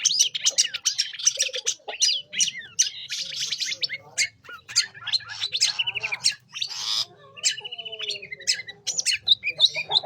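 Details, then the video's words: Long-tailed shrike singing as a lure for young forest shrikes: dense, varied chatter with harsh rasps, trills and short whistled phrases, low hum beneath. "Cendet Gacor Pancingan Untuk Cendet muda Hutan"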